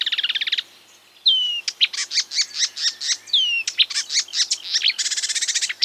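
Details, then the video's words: Marsh warbler stringing imitations of other birds: a rapid chattering trill, a brief pause, descending whistles, a steady series of loud sharp chirps, and a closing fast buzzy trill. "A marsh warbler (Acrocephalus palustris) imitating other birds"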